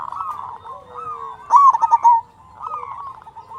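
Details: Zebra dove of a local Indonesian strain with a big voice, singing. One loud phrase of quick, stuttering coos rises and then falls away, set against quieter continuous cooing from other doves.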